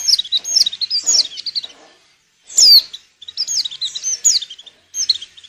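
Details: Breeding-condition female white-eye whose calls prompt males to sing for luring: short bursts of high, twittering slurred notes, one louder sharp descending chirp near the middle, separated by short silences.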